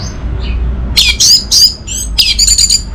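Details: Anis merah (orange-headed thrush) lure song: a short, broken series of high, bright chirps and squeaky notes spread over three seconds, uneven in spacing, with faint low rumble beneath.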